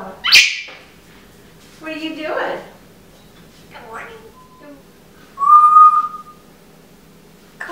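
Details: Pet African grey parrot indoors after eating pine nuts, giving a sharp rising whistle, a few soft speech-like mutterings, then a loud steady whistled note with a faint click near the end.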